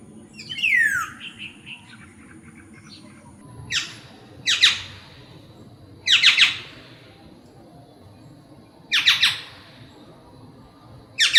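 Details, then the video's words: Black-naped oriole giving a descending whistled slur, then a series of harsh, raspy squawks in short bursts every one to three seconds, over low background hum. "Sounds of Black-Naped Orioles"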